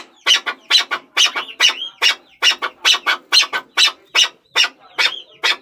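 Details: Chukar partridge calling: harsh, broadband chuck notes delivered in a fast, fairly steady series of about two per second, some doubled, with a few rising whistled slurs between them.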